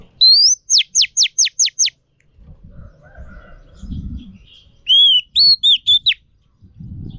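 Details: Training song of a female Oriental magpie-robin used to stimulate males: a fast series of six sharp down-slurred notes, a pause with soft background rumble, then a cluster of short arched and wavering whistles.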